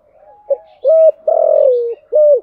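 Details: Spotted dove cooing in the style called "thúc gù": a soft note, then three loud hollow coos, the middle one longest and falling in pitch.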